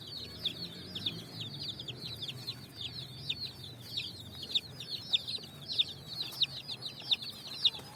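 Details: A flock of colourful chicks foraging on sand in the evening, chirping nonstop: sharp, high peeps sliding downward, many overlapping, with some louder ones standing out about every half second.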